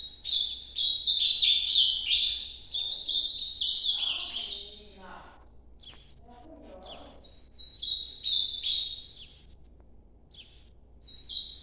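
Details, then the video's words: Northeastern Brazilian ultramarine grosbeak giving its nocturnal song: a fast run of bright, stepped whistled notes, a quieter gap with soft low murmuring, then another rapid high whistled series and scattered short notes. "Canto Nordeste Azulão Noturno"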